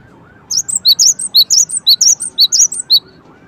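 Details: Cinereous tit giving a rapid, busy series of high squeaky chirps, alternating notes of slightly different pitch, about a dozen in under three seconds, with a faint lower whistle underneath.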